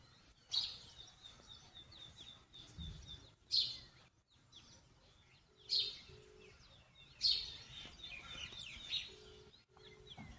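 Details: Morning birdsong near Munsyari in Uttarakhand's mountains at sunrise: sharp high chirps every two to three seconds with a fast thin trill in between, plus soft low repeated tones in the background.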